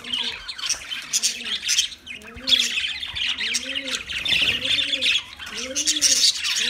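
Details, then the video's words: Budgerigar chatter of scratchy high chirps over a lower, repeated arching tone that swells about once a second in the background. "Birds Singing Beautiful Budgie Sounds Parrot Talking voice"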